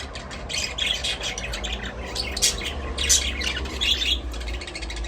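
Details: Budgerigars in an aviary chattering continuously, a dense flock warble of rapid overlapping chirps and squawks with no pauses, over low rumbling background noise.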